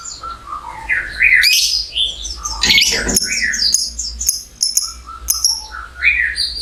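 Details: Lovebird giving a long trilling chatter used to stimulate other lovebirds into singing. Dense, busy mix of squeaky chirps, high buzzy trills and sweeping notes, fairly loud, with a low hum underneath.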